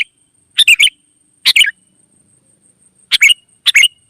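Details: Wild sooty-headed bulbuls singing lively and answering one another: four short bubbly, chattering phrases in two pairs, bright warbled notes with falling ends, separated by silent gaps.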